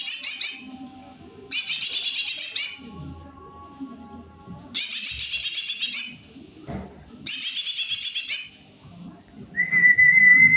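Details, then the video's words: Greater green leafbird singing strongly: several one-second bursts of fast, shimmering high chatter with pauses between them. A clean, steady whistled note ends the clip. "Jomin full cor gacorrr"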